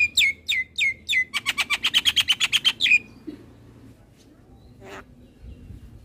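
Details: Javan myna tutor song for training young birds: a few downslurred whistles speeding into a rapid, evenly spaced train of about a dozen chattering notes that ends abruptly, followed by near silence and one faint rasp.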